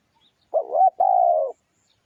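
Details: One spotted dove cooing phrase for luring: a brief rising, wavering note followed by a sustained even coo that drops slightly at its end, with near silence around it.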